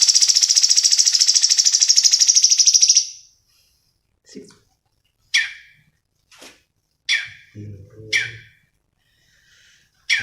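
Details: Cucak cungkok song for bird training, 'gacor' style: a dense buzzy trill held high for about three seconds, then a series of short sharp downslurred notes spaced about a second apart, with faint low thumps between.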